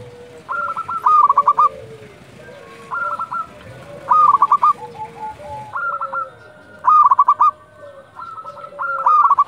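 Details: Local zebra doves singing at dusk: rapid rolling coo phrases of four to six notes, repeated every two to three seconds, alternating with softer, lower answering coos from a second bird.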